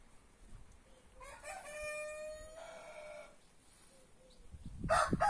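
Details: Back-yard free-range roosters of Brahma, Marans, Naked Neck and White Star breeds: a steady mid-distance crow of about two seconds, then brief soft notes and a loud noisy burst near the end.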